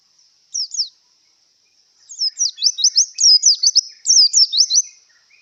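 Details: Javan white-eye in breeding condition: a lone pair of sliding chirps, then a lively three-second stream of rapid high twittering notes sweeping up and down.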